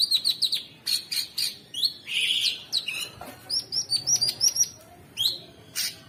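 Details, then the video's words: Training song of a sooty-headed bulbul (cucak sungkok) with coarse 'ngebren' filler for contest birds: rapid chirping runs, a buzzy downslurred phrase, then series of short rising whistles. "Masteran Mewah Cucak Sungkok Buat Burung Jawara isian Kasar Ngebren Abis"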